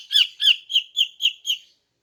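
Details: Female greater green leafbird in morning song meant to lure males: six harsh, clipped chirps at steady spacing, about one every quarter second, fading toward the end.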